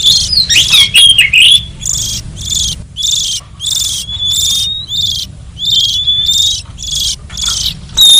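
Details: Oriental magpie-robin lure song meant to draw wild forest birds: clear whistled notes around a steady pitch alternate with rapid buzzy, rasping bursts, repeated roughly twice a second with short gaps; low steady hum underneath.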